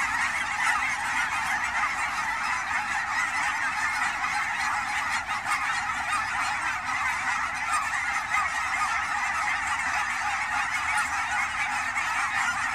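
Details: Canada geese gathered during autumn migration on Willamette Valley ponds, Forest Grove, Oregon; a sustained massed honking chorus with only slight swells in loudness.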